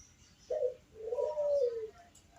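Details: Bangkok-type zebra dove, described as having a thick, bass, melodious voice, singing to lure other zebra doves into calling: a short low coo followed by a longer, smooth, slightly rising-then-falling coo. The room is quiet.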